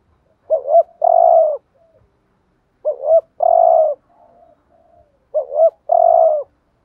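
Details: Decoy spotted dove luring other doves, cooing in a regular phrase every two and a half seconds: a double rising coo then a long purring note, given three times, faint soft notes between.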